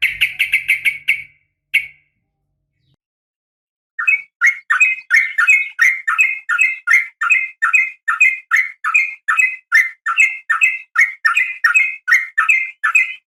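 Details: Female sooty-headed bulbul calling a male: a short chirping burst, a silence of two seconds, then a long steady series of sharp two-note chirps repeated about two or three per second.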